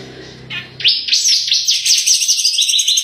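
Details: Grey-cheeked bulbul (cucak jenggot) in 'gacor tembakan' style, used as a master recording: a short soft note, then a fast chattering stream of high, buzzy, rising-and-falling slurred notes continuing without pause to the end.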